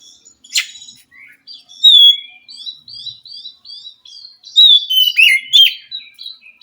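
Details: Wild Oriental magpie-robin from the forest, singing in response to a caged bird that is slow to sing: a sharp note, then a string of clear whistles that rise and fall, ending in louder slurred phrases.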